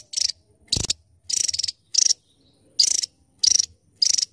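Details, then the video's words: Javan tesia, a tiny bird with a sharp, spicy voice; seven short high rattling bursts, thin and buzzy, spaced about half a second apart, with brief silences between them. "Burung tesia jawa burung mungil cabe rawit suara pedas"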